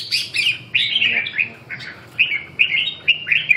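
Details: Competition-singing red-whiskered bulbul pouring out repeated bright, slurred chirps in short clusters, about six phrases separated by brief pauses.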